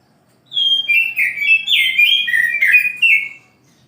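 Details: Morning song of an oriental magpie-robin: a continuous three-second run of loud, varied whistles, each sliding downward, with rich slurred notes and brief rising flourishes, over a quiet background.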